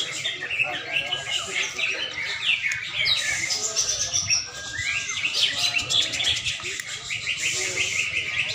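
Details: Greater green leafbird (cucak ijo) being conditioned for songbird contests: a busy stream of high, sharp chirps, quick whistled slurs and rapid trills, with dense overlapping bird notes throughout.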